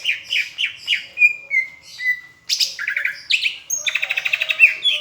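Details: Greater green leafbird from Palembang singing a tutor song flavoured with Asian brown flycatcher imitation: repeated slurred whistles near 2–3k, a pause, then buzzy chattering phrases and a fast rattling trill of evenly spaced notes.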